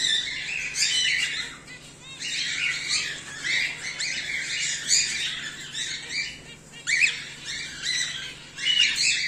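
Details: Raspy, grating squawks from home-bred cockatiels, whiteface emerald and an exhibition grey male, in long dense runs that break off briefly near the middle and pick up again, over a constant soft electrical hum.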